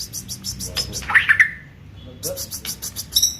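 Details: Aceh white-rumped shama song with isian fill-ins: a quick burst of bright whistled notes between rapid rhythmic buzzy high clicks, repeated evenly, with a murmur of background noise.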